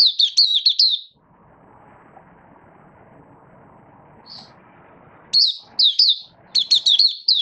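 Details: Malaysian Oriental white-eye, a hobby songbird, gives a burst of high warbling, falls quiet except one brief chirp amid low background hum, then resumes with quick slurred phrases.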